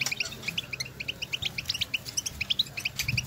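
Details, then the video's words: European goldfinches outdoors in nature exchanging calls to stimulate singing: a brisk, continuous stream of clipped, tinkling high notes, roughly eight per second, with a few higher sparkling accents and a soft low hum in the background. "افضل بتبتة لتحفيز طائر الحسون"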